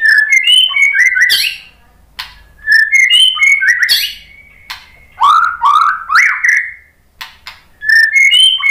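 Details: White-rumped shama, called murai batu, giving a lure song (pancingan) to provoke other shamas into singing; loud phrases of bright whistles ending in upward-swept chatters, repeated with short silent gaps between them.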